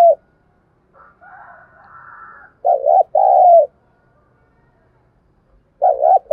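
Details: Decoy spotted dove calling to rouse wild doves. A soft twittering from another bird comes first, then a two-part coo, wobbly then steady. Another coo phrase begins at the end.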